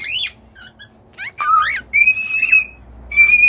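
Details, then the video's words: Singing cockatiels give a quick rising-falling squawk, then twisting whistled slides and long level whistles, with short gaps between phrases, in a small indoor space. "an hour of cockatiels singing!"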